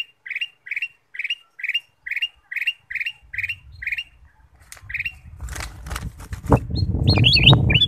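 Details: Ruby-throated bulbul lure call: evenly spaced short high notes about four per second, then fading into loud broadband rustling noise with a few scattered chirps at the end.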